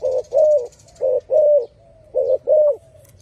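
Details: Spotted dove giving a loud song of three coo pairs. In each pair a short note is followed by a longer, fuller one, and the pairs are spaced about one second apart.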